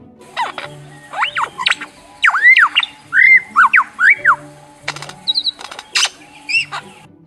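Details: Superb lyrebird, a mimic of the forests along southeast Australia's coast whose male lures mates with borrowed calls, pouring out a rapid medley: swooping whistles, rising and falling slurs, sharp clicks and chattering bursts over faint music.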